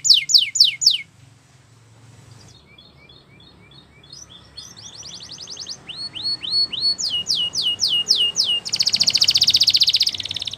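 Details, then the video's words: Belgian canary singing for young canaries in training: several quick falling sweeps, a soft pause with faint notes, then varied tours of rising slurs and a rapid buzzing trill. "Belgian Canary Singing !! Canary Training Song"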